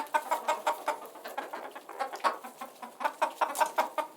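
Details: Chickens clucking for relaxation, soft rhythmic clucks about three per second in small runs, with a pause in the middle before the series resumes.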